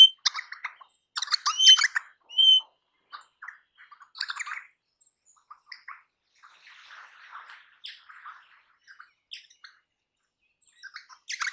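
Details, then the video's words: Crimson rosella, a parrot of eastern and south-eastern Australia, giving short chattering and squawky notes in uneven bursts, with a brief clear whistle near the start; some softer scratchy chatter between louder calls, no other clear sounds. "Crimson Rosella Call. Crimson Rosella Sounds. Crimson Rosella Song. Crimson Rosella Noise."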